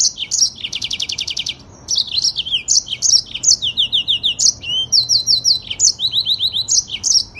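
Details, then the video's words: Yellow-fronted canary (Mozambique canary) singing a long rolling 'ngerol' song at tight speed, used as master audio for training birds: fast high buzzy trills and quick repeated down-slurred whistled notes in dense bursts, with one short pause. "AUDIO MASTER BURUNG MOZAMBIK FULL NGEROL PANJANG DAN SPEED RAPAT"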